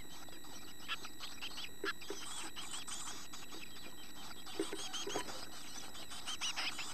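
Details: Chickadee nestlings almost ready to leave a nest box, with tail feathers and open eyes, beating their wings; thin high chirps pile up in busy overlapping bursts over a steady low hum.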